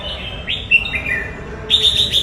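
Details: Red-whiskered bulbul singing a quick phrase of rising then falling whistled notes, liquid and sweet, ending in a louder warbled flourish, with faint low rumble behind.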